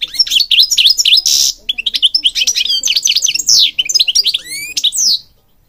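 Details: Almost continuous bright song of a European goldfinch from Morocco, used for training birds: rapid chattering twitters, buzzy bursts and long rising slurred whistles.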